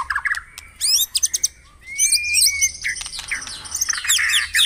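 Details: White-rumped shama song played in the morning to stimulate caged birds to sing; a lively mix of sharp chirps, rapid high whistled sweeps, a long level whistle, and scratchy twittering phrases.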